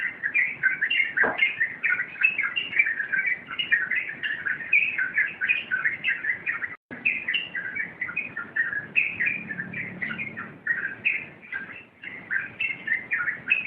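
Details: Long rompelan song by a yellow-vented bulbul, an energetic, nonstop cascade of quick bubbling chirps and warbles, briefly cut off midway, with a soft click early on and a faint low hum.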